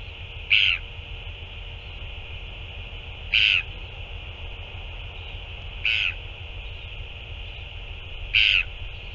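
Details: Northern royal albatross at a feeding on 9 February 2024, giving four brief rasping calls spaced about two and a half seconds apart against a constant background hiss.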